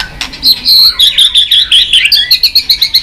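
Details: White-rumped shama roused to sing, flicking its tail. Shrill high notes slur into a fast, even series of short sharp pips, about five per second.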